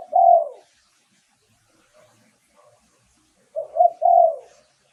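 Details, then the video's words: Spotted dove cooing as a lure for wild birds: the end of one long falling coo, a quiet stretch, then a phrase of two short notes leading into a longer mellow coo. "เสียงต่อนกเขาใหญ่ เสียงชัด"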